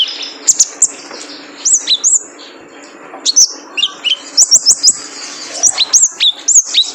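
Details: Male kolibri ninja (purple-throated sunbird) recorded to train cage birds: sharp, high chirps and falling whistles in groups, with a quiet stretch in the middle, over faint hum.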